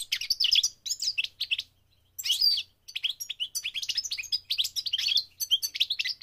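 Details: A goldfinch sings during migration, a lively stream of high, liquid chirps and buzzy trills, broken by one short silence near the two-second mark before the chattering resumes.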